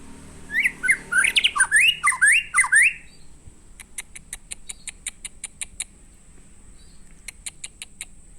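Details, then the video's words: White-rumped shama song of about eight swooping whistled phrases delivered rapidly, followed by a long series of crisp high clicks repeated roughly twice a second, with a short pause before a final burst. "Burung Murai Batu Gacor"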